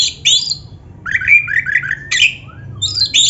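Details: Black-breasted Oriental magpie-robin in energetic song used as a lure for caged birds: a high rasp, a string of quick warbled notes, then loud buzzy chatter.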